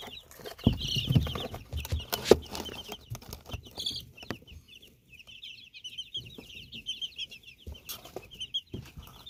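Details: Chicks in Canada give rapid high peeping calls, short upward notes repeated in a loose, busy stream, with bumps and thuds from handling in the first few seconds.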